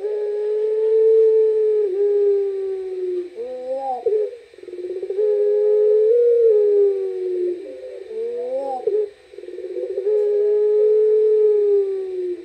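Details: At night, a puter pelung turtle dove gives long, drawn-out low coos of several seconds each, slightly falling in pitch, separated by brief wavering, bubbling notes, repeated about three times.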